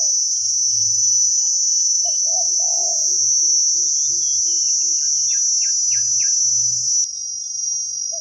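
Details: Spotted doves, a wild bird with a big 'khu-ang' style voice, coo during a decoy trapping session in forest: low, mellow coo notes, with a soft repeated lower note series. Loud steady cricket drone and brief chirps from other birds throughout.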